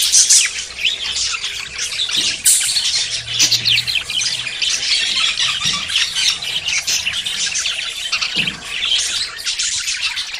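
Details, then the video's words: Budgerigars courting and about to breed: a dense, unbroken chatter of high squawks and chirps from several overlapping birds, with brief harsh notes standing out near the start. "CON ESTE AUDIO TUS PERIQUITOS SE APAREARÁN"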